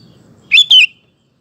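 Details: Sooty-headed bulbul singing actively, recorded as a lure to make male bulbuls answer; one loud two-part whistled phrase, the second part sliding down, over a faint low rumble.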